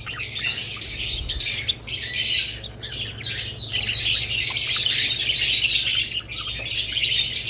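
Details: Budgerigars among lovebirds produce waves of shrill, scratchy chatter, broken by brief lulls, then a long unbroken stretch of busy chirping.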